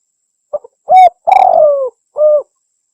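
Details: Spotted dove lure call from Indonesia: a brief soft note followed by three mellow coos, the middle one drawn out and slowly falling, the last short and steady, with silence between them.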